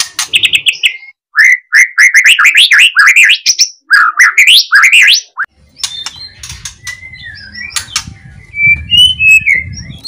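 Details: White-rumped shama song played loudly to provoke other shamas into singing, with loud rattling calls: rapid rising whistled and chattering phrases, then scattered sharp notes over low rumbling noise.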